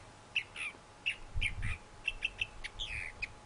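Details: Short stretch of thrasher song: separated chirped notes and a few slurred phrases, with some low rumble underneath.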